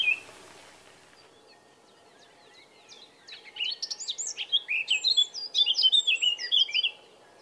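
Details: Singing male Eurasian blackcap in Bavaria, Germany, during June or May. After a brief pause, quiet scratchy chattering swells into a loud, rapid, fluty warble of tumbling whistles, which ends abruptly after about four seconds.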